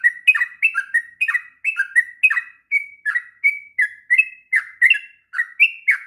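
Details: Long, steady ngropel song of a sooty-headed bulbul, used to train untrained bulbuls: rich chirruping whistles in quick two- and three-note phrases, continuous with no other sounds.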